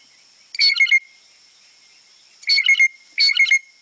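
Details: Blue jay (Cyanocitta cristata) low-intensity alarm, the "squeaky gate" call, given when something disturbs the birds: three squeaky, creaking bursts, each about half a second, like a rusty gate, over a faint steady high whine.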